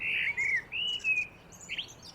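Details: Common blackbirds, male and female, singing on a mild spring day in a small garden near a road, give short, slurred fluty phrases that rise and fall, with thin high twittering and faint chirps from other small birds.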